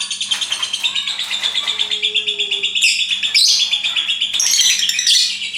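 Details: Caged lovebird chattering: a continuous rapid stream of high, shrill chirps and squeaky notes, with louder harsh bursts near the middle and end.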